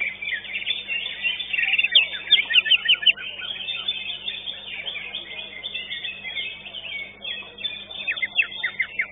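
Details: Greater green leafbird competing in a singing contest at Legok Permai, placing second. Bright, rapid chip-and-whistle phrases come in bursts near two and eight seconds, with a constant chorus of other birds behind.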